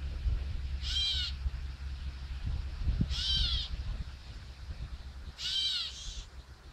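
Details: Catbirds scold, giving three harsh, nasal, cat-like mews, each about half a second long and a couple of seconds apart, over a low rumble of background noise.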